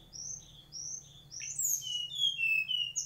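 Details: Mangrove whistler song, a fast series of high, clear whistled notes sliding up and down, growing louder and busier toward the end, over a faint low hum.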